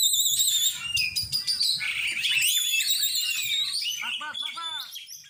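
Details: Oriental magpie-robin during group song training: dense, high whistled phrases and fast trills pour out without a break, then shift toward the end into a series of lower, repeated arched chirps. Faint low murmuring sits underneath.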